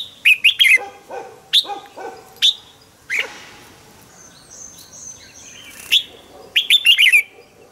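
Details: Captive decoy Red-whiskered bulbul singing brightly, pushed into a double-note song, with loud, bubbling phrases in short bursts and a few softer chirps between them.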